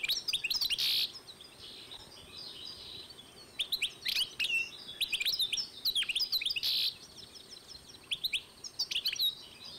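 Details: Hybrid of European goldfinch and canary, 2012, in long twittering song phrases of rapid high chirps broken by harsh buzzy bursts, with short pauses between phrases.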